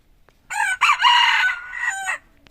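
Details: F2 red junglefowl crows once, loud and raspy, with a brief opening note, a sustained rough middle section and an abrupt finish after roughly 1.7 seconds. Faint clicks are around it.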